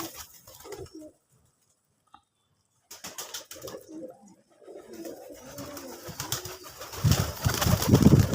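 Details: Local deshi pigeons of the putul golla type, kept birds, give soft low coos in short bursts with pauses, followed by a rising broadband rustle and flutter toward the end.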